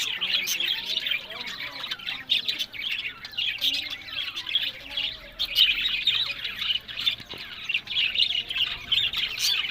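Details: Captive budgerigars kept for breeding call in a loud, crowded mix of harsh squawks and chirps that rises and falls without a break.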